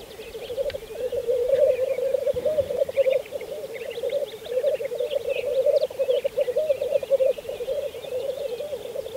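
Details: Spring lek of black grouse on Saaremaa, Estonia, in 2014. Males keep up a dense, rolling, dove-like bubbling without pause, and scattered chirps and twitters of other birds sound over it.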